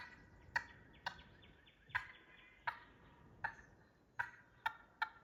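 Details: Wild turkey gobbler, in the wild during a hunt, staying by a downed bird and circling it instead of fleeing: short, sharp, clucking notes repeated irregularly about every half second to second over a quiet background.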